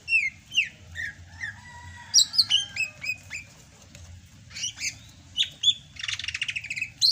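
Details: Sumatran greater green leafbird, singing in full voice (gacor) in the rainy season, gives a busy string of clear whistles, downslurred chips and short trills, ending in a harsh buzzy rasp and a final sharp note.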